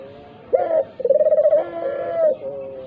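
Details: A single dove phrase from a lure recording for getting doves, even silent ones, to call: a brief bright coo, a pause, then a rapidly pulsed, purring coo sliding into a longer, softer tail.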